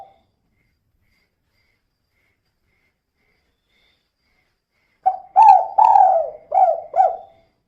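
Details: Female spotted dove used as a lure to make other birds sing: about five seconds of silence, then a single 'kuk 2' cooing phrase of five soft notes, the middle ones longest.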